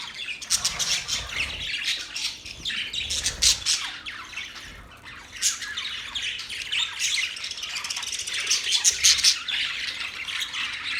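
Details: Parrot chirping: a lively stream of high, rasping chirps and short squawks, easing slightly around five seconds, then rising again into thick, overlapping chatter toward the end.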